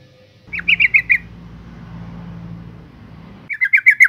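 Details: Female yellow-vented bulbul calling to lure males: two bursts of five rapid, grating chatter notes, separated by a stretch of low humming background noise.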